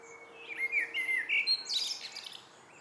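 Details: Melodious fluted warbling of a common blackbird in the evening, several rolling whistles followed by a high, scratchy twittering ending.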